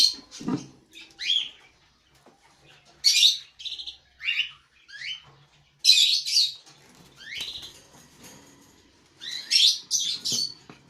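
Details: A 7-year-old breeding cockatiel and neighbouring cockatiels give shrill, rising chirps and harsh screeching bursts in uneven bouts.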